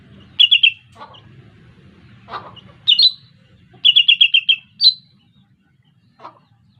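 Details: Lesser green leafbird call played as a bird-trapping lure, with quick bright chirp clusters of four to six notes, separated by brief pauses and a few isolated chirps.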